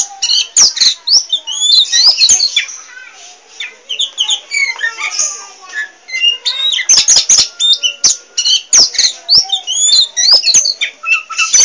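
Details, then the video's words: Oriental magpie-robin, a talkative songbird in full voice without pause, delivering a continuous medley of bright whistles, rising and falling slurs and scratchy chatter, broken by frequent sharp clicking taps. "Kicau Burung Kacer Poci Gacor Cerewet Nggak Mau Diam"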